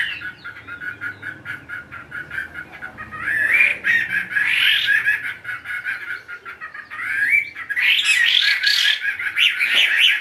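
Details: Tamed caged Chinese hwamei giving harsher, rattling chatter that breaks into brighter whistled and warbled bursts, with a few clear rising slurs between the rougher passages.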